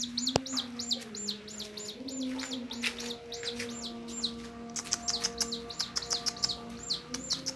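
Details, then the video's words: Domestic chick staying close to its carer's hand. Quieter run of high, arched peeps repeated rapidly over a low steady hum, with a sharp click near the start. "anak ayam gak mau jauh dari yang ngerawatnya//berlari menghampiri jari tangan"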